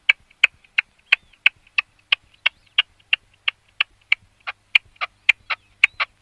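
Red-legged partridge giving a steady run of short, harsh chuffing notes, about three per second, with little else heard.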